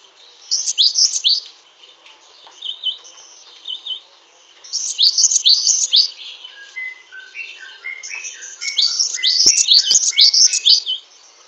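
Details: Great tit (glatik wingko), a small songbird kept as a tutor and contest bird, with a long, strongly breathed chattering song: bursts of rapid high scratchy sweeping notes at about 0, 5 and 8.5 seconds, between them lower short whistled notes.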